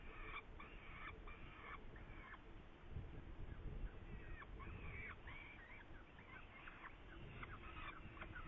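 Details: Saker falcon, Hungary, 8 May 2019: repeated grating, harmonic calls in uneven clusters, short harsh notes and longer wavering ones, somewhat softer, over a low steady rumble.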